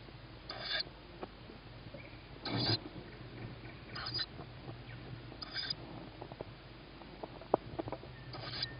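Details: Tawny owl owlet begging as it hears its mother arrive with food, 21 May 2017 at 21:38, evening feeding with a sibling on a roof; harsh broadband hissing bursts repeated about every one and a half seconds over a faint background.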